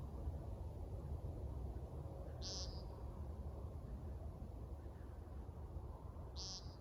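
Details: American woodcock (timberdoodle) beeping in the dark in a backyard; two brief, nasal, buzzy notes spaced about four seconds apart over a constant low drone.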